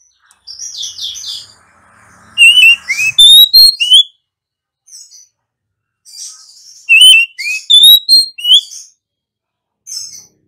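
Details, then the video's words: Female Oriental magpie-robin singing to draw song from other birds: two bouts of loud, clear, slurred whistles and buzzy notes, each opened by softer scratchy chatter. "Tiếng than mái khè, rít, hót kích bổi chuẩn, bổi mở mỏ chơi ngay!"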